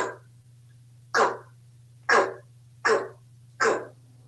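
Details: Very talkative pet African grey parrot, a male living in a home in Texas, excitedly repeating a short clipped word like "Go!" five times at intervals of under a second, with a steady low hum in the room.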